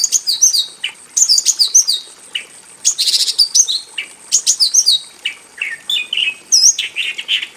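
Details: Caged Javan bush lark in a simple aviary, a female calling to a male, pours out a busy mix of high chirps, down-slurred whistles and short buzzy rattles in quick uneven bursts.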